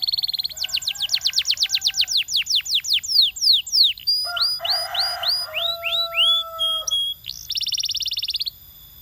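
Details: Champion canary in varied song: a fast trill of falling whistled notes, arched whistles over a low buzzy rasp and a sustained tone, then a rapid high rattling trill.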